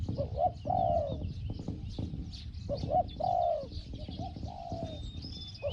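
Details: Spotted dove calling at a decoy setup for a wild target bird, small 'hong hong' voice. Three cooing phrases about two seconds apart, short notes then a drawn-out falling coo, with high whistles of other birds.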